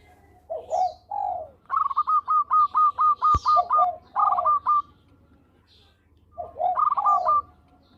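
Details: Local zebra dove, a persistent singer kept to lure birds: falling coos lead into a long run of about ten rapid hooked notes repeated several times, one sharp click, and high twitters from other birds.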